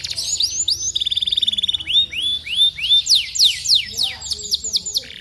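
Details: Canary singing to prompt other canaries to join in: a short rapid trill followed by a series of rising-then-falling slurred whistles, repeated at a quick pace, high and clear.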